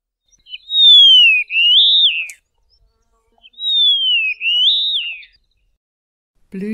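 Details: Karoo Long-billed Lark singing in the southern Karoo, South Africa: two long, clear whistles, each sliding down then sweeping back up, about three seconds apart; a brief low voice begins at the end.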